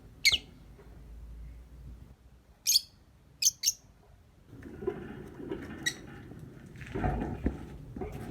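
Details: Lovebird morning lure sound: sharp, high chirps singly and in a quick pair, a fainter chirp later, over steady hiss and some mid-pitched clatter and rustling.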